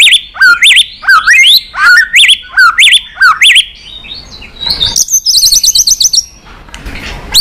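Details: White-rumped shama song in many voices, used to stimulate other shamas to sing: loud repeated phrases of looping whistled notes several times a second, a quieter pause, then a quick high trill and a final rising note.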